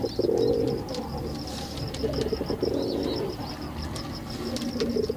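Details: Performing male pigeon with rough, pulsed cooing bursts at intervals over several seconds, set against continuous high chirping of many small birds and a low background rumble.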